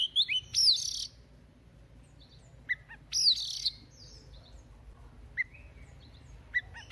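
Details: An Oriental magpie-robin, newly caught, singing to warm up each morning: loud buzzy bursts with whistled glides about every two and a half seconds, interspersed with short clear chip notes and a soft background hum.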